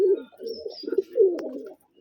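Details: Farm pigeons of the gerebaj kind in Rajshahi, Bangladesh, coo in low, rolling, throaty phrases, four bursts running together, with a brief click near the end and quiet surroundings.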